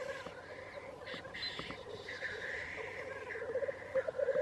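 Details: Black grouse recorded at Wrexham, giving a steady, rolling bubbling murmur that swells louder toward the end, backed by higher chattering bird calls.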